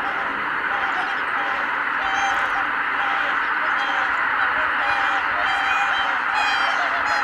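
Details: Greater white-fronted geese at Kabukuri-numa, 12 January 2019, taking flight as one flock, make loud, thick honking that grows busier toward the end, with harmonic-rich calls overlapping.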